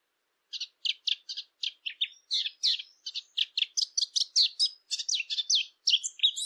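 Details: Eurasian blackcap singing, a recording meant for hunting callers: about twenty short, crisp notes delivered at a steady quick pace, growing higher and more excited toward the end, on a clean, silent background.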